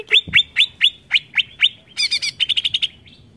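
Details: Greater green leafbird provoking song: evenly spaced sharp rising chirps repeated about four times a second, then a quick buzzy chatter and a short trill.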